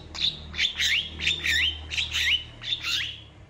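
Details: Long-tailed shrike's song: a chattering phrase of buzzy notes with twisting whistled slurs, repeated roughly every half second over a low background hum.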